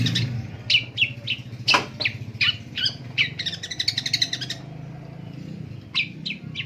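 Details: In the morning, a Long-tailed Shrike gives a run of sharp, scratchy chirps that quickens into a harsh chattering burst before a few spaced notes, over a low steady rumble.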